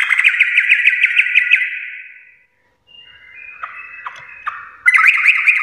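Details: Sooty-headed bulbul, called trucuk, in the "garuda" song style: a quick rolling series of repeated arched notes, a pause, softer buzzy notes, then a loud rapid chattering run.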